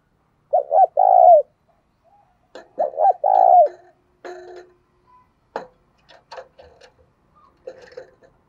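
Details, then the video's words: Spotted dove used as a lure for wild doves coos twice, two short notes then a long trembling coo, followed by a stretch of clicks, taps and rustling handling noises with a faint coo at the end. "Tiếng Chim Cu Mồi Thúc Gù Và Gáy Gọi/ Chim Cu Gáy Kích Bổi Nhanh Nổi Hiệu Quả"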